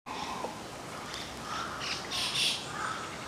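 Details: White-cheeked starlings, adults together with young birds, at a stream garden in Aoba no Mori Park on 10 June 2015; harsh, squawky calls overlap through the clip over a steady background hiss.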